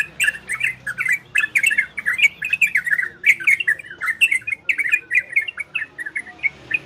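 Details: Orange-spotted bulbul song in the ropel and garudo styles, used to stimulate breeding condition in listening birds: rapid, busy run of short chirping, warbling notes, clustered in quick bursts without pause, with a faint low hum behind.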